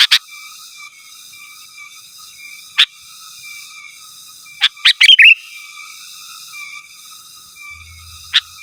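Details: Sooty-headed bulbul calling to rivals, recorded without other birds' phrases; sparse single sharp notes, then a quick cluster ending in a brief bubbly whistle, more lone notes after, over a constant background hum.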